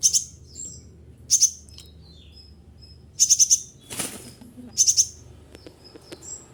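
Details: Caged kolibri ninja performing imitated phrases: bursts of four rapid, piercing high ticks every one to two seconds, short whistles between, and a brief noisy flutter of wings in the middle.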